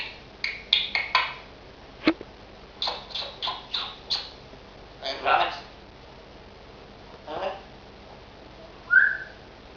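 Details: Pet African grey parrot making rapid clusters of harsh squawks and voice-like syllables, a sharp click, then a pause before a rough burst and a single clear whistled note near the end.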